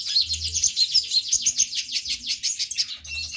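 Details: Olive-backed sunbird (konin) in full, vigorous song, played to stimulate other sunbirds to sing. A continuous, fast run of sharp, high twittering notes, rising and falling in quick succession with no pauses.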